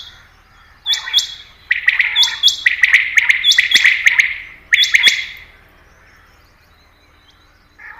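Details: Common quail, reportedly female, giving quick, liquid triple-note calls in bursts over about four seconds, bright and clipped, with sharp clicking ticks between phrases; recording used as a hunting lure.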